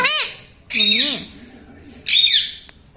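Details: Pet parrot said to say mummy, papa and radhe. Three loud, rich, wavering syllables, the middle one long and arched, with a person then saying "mami" twice.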